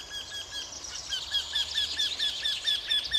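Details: A Eurasian wryneck near a hotel on 16 May 2013 gives a rapid series of nasal, slightly down-slurred 'kee-kee-kee' notes, about four per second, over a high hiss of background chatter.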